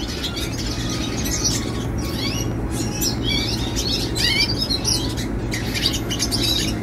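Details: A young red siskin delivers warbled, buzzy phrases of rising and falling high notes in quick succession, against a continuous low rumbling background.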